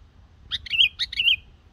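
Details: Young yellow-vented bulbul, a black-headed form, practicing its song, used to lure wild birds for trapping: short bubbly phrase of quick chirps into a warbled whistle, over faint low rumble.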